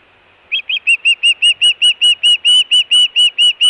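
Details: Osprey at its nest in Hellgate, Montana, 24 June 2017, food and alert calling: two sharper opening notes then a quick, even string of piercing whistled cheeps, roughly three to four each second.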